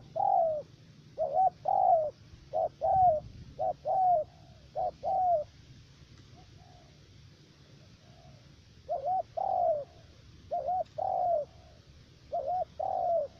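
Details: Spotted dove decoy, a three-note caller, used to trap wild doves in U Minh, Khánh Hòa commune, Cà Mau, Vietnam: mellow coos in pairs, a short wavering note then a longer falling one, repeated in bursts with a quiet gap midway.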